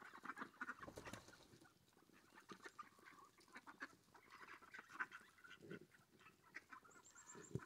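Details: Mallards coming in to be fed, several birds calling in short nasal bursts over continuous background noise, with a brief high tonal sound near the end.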